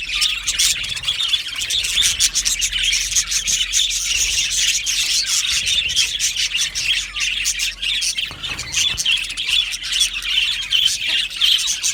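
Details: Colony of Australian budgies in an aviary, sustained group warbling with quick clicks, chirps and buzzy squawks running together over twelve seconds.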